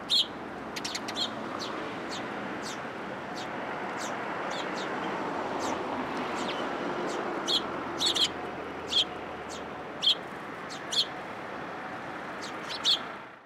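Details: Several sparrows visit a post at a Tenmangu shrine to be fed, 22 October 2022: brisk, high, clipped chirps, some in rapid clusters early on, then spaced every second or two over a low ambient hum.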